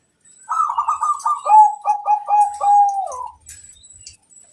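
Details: Vigorous local zebra dove sings one long bubbling phrase of rapid staccato coos, descending slightly, ending in a drawn-out rolling note; quiet afterward.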